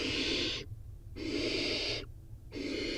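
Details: Inside a barn owl nest box holding four nestlings during a feeding frenzy after a prey drop, harsh breathy hisses come in three long bursts separated by short silent gaps.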